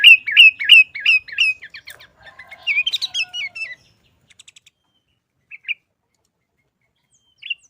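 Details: Sooty-headed bulbul singing 'Garuda isian' style for caged-bird tutoring: six evenly spaced bright two-note chirps, a jumbled twittering passage, then sparse soft notes and long quiet gaps.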